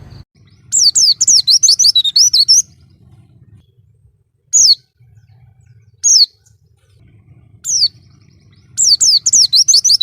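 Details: Oriental white-eye delivering a dense, rapid twittering phrase of high descending whistles, then isolated single notes, and a final fast burst. Recorded for training cage birds, with a faint low hum beneath.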